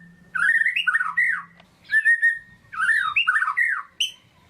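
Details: Lively 'gacor' lure song of a white-rumped shama, aimed at lazy shamas: harsh, squawky, warbling phrases in two bursts with a faint low hum in the background.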